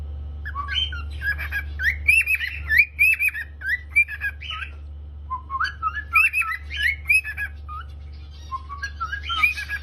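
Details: Cockatiel singing and chirping, with bursts of warbled whistles and rising and falling chirps in irregular clusters, separated by brief pauses, over a constant low hum in the background.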